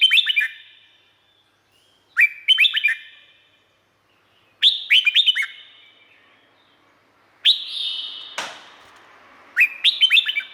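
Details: Red-whiskered bulbul in Thailand repeating short chirpy whistled phrases about every two to three seconds. Five bursts of quick liquid notes, with one sharp thump or click heard near the end.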